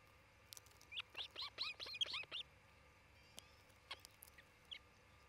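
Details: Osprey on a nest in Charlo, Montana, where a pair is building a nest and raising a family, recorded by a nest camera on 27 June 2018 midday; a fast series of about eight high, ringing chirps, then scattered softer notes.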